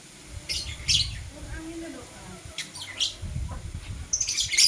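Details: Blue and green lovebirds in the morning give sharp, raspy high chirps in three brief groups, with low background rumble and murmuring between the calls.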